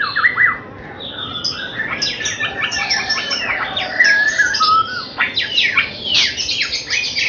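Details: Young captive white-rumped shama of Bahorok lineage, being trained before entering song contests, sings a rich, varied stream of whistles, rising and falling sweeps and chattering notes, continuous for about seven seconds.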